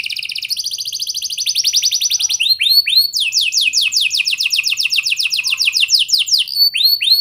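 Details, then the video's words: Canary singing to prompt young canaries: high trills change into a long series of crisp descending slurred notes about four per second, with arched whistles at the end. "Kenari Gacor Angkatan Gacor! Efektif Buat Memancing Kenari Paud Agar Cepet Rajin Bunyi & Ngeplong"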